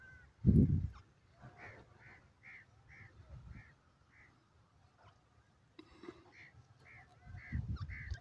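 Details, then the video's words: Teetar, or francolin, calling: a series of short, evenly spaced, slightly upslurred notes, about two per second, in two bursts with a pause between, plus low thumps and rustling. "teetar awaz,teetar ke boli,francolin ke awaaz"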